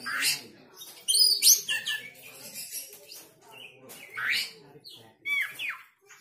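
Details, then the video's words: An Oriental magpie-robin, stirred up and joining in song, gives irregular bursts of high, sweet whistles mixed with scratchy chirps and rising slurs, with a soft low murmur underneath. "Kacer mana yang gak emosi dan ikut bunyi"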